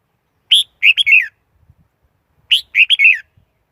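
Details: Red-whiskered bulbul decoy song for trapping wild birds: a brisk four-note phrase of bright, fluting chirps, repeated twice about two seconds apart, on a clean quiet background.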